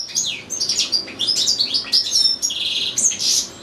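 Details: Loud, continuous song from a caged European goldfinch sharing space with goldfinch-canary hybrids: tumbling high twitters, slurred whistles and buzzy notes packed tightly together with barely a pause.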